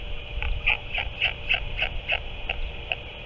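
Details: Nest of northern royal albatross on 7 March 2024, adult returned and feeding the chick octopus: eight or so short, soft squeaky notes spaced about half a second apart, fading toward the end, with wind rumble and hum beneath.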